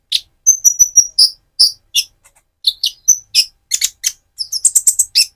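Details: Speckled Van Hasselt's sunbird, moulting toward metallic colouring, with a lure song for another sunbird: high thin whistles and sharp ticking chirps repeated in quick uneven series.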